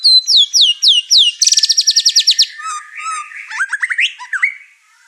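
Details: Caged white-rumped shama singing excitedly enough to rile other birds in the house: high downslurred whistles, a rapid buzzy rattle of repeated notes, then lower whistles and a rising series of slurred notes.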